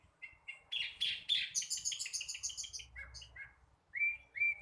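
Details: Juvenile flycatcher practising song, starting with short twittering notes, then a dense run of rapid high chattery notes, then slurred rising whistles.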